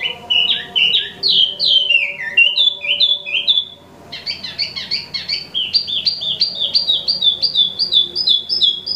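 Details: Active song of an imported Wambi Mini: varied falling whistles and chirps, a brief pause, then quick, evenly spaced double notes repeated several times a second.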